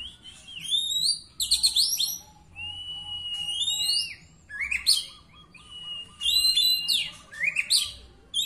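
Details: Singing-contest Oriental magpie-robin, third-place winner, delivering long pure whistles sliding down, quick chattering trills and bright upslurred notes in irregular phrases, with a low murmur of background noise.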